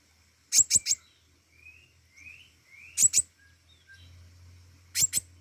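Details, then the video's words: Pentis raja flowerpecker in lively song: clusters of two or three piercing high ticks, spaced about two seconds apart, separated by faint rising whistled slurs, over a low steady hum. "burung pentis raja gacor"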